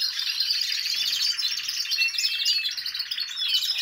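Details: Many caged canaries singing together in a large aviary during the rest stage after moult, before breeding: a dense, continuous high chorus of rapid trills, rolling warbles and thin whistled notes overlapping without pause.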